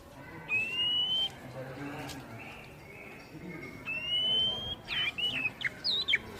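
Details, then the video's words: Oriental magpie-robin song used to stimulate untrained caged birds to sing back. Two long, pure, gently rising whistles come several seconds apart, each followed by short, sharply bending notes, over faint background hiss. "Masteran kacer bahan biar bunyi nyaut langsung on"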